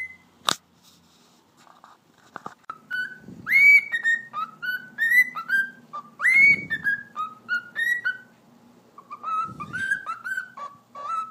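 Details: Domestic cockatiel in a small room performing a long whistled tune after talking practice, steady melodic phrases of clear notes with repeated rising upswings, mixed with soft low thumps and rustling.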